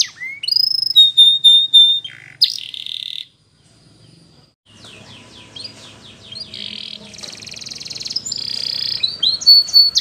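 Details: Belgian canary training song. Clear sweeping notes and a held high whistle come first, then a near-silent gap. Softer, busier rolling trills follow and build into buzzy phrases and a final bright whistle.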